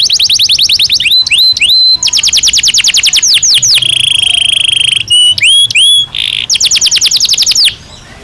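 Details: Belgian canary singing: long runs of rapid descending trills alternating with upswept whistles and a steady buzzy roll, the phrases delivered almost without break.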